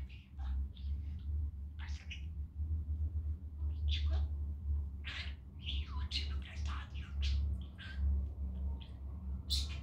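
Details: Male pet budgerigar in a very good mood on a sunny day at home, talking while playing; dense run of warbled, speech-like syllables and chirps with a constant low hum underneath.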